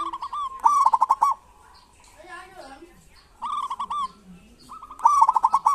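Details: Kerot and bekur style song of a local zebra dove, used to stir silent doves: three loud, fast-rolling trilled phrases separated by pauses filled with soft, low, wavering cooing.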